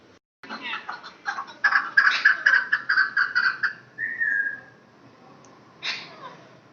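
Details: Talking male rose-ringed parakeet, a hand-tamed pet, indoors, repeating a rapid run of about a dozen clipped, speech-like syllables, then a rising whistled note, a pause, and a short squawk.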